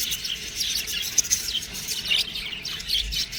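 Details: Budgie babies twitter in a busy, high-pitched chorus of short chirps and squeaks, a few sharp peeps rising above the steady chatter.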